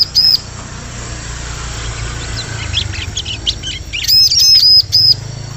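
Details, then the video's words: Bar-winged prinia calling over steady background hiss and rumble: a single high arched chirp, then a closing cluster of quick, sharp repeated notes, recorded as a forest lure sound. "Suara Pikat Burung Ciblek"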